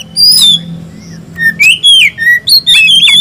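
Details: Oriental magpie-robin (kacer) singing in 'gacor' form: loud, clear whistled phrases, some sliding up and down, others short sharp notes, delivered in quick bursts with brief pauses over a low steady hum.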